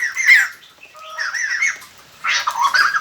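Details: White-crested laughingthrush decoy song meant to draw wild birds in: a loud harsh note, then softer warbled phrases, ending in a noisy burst of chattering squawks.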